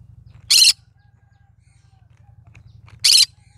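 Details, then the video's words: Cinnamon green-cheeked conure vocalizing: two short, harsh, raspy squawks about two and a half seconds apart, separated by silence, with a faint low hum underneath. "Green cheek conure : Chinnamon conure singing to day so funny."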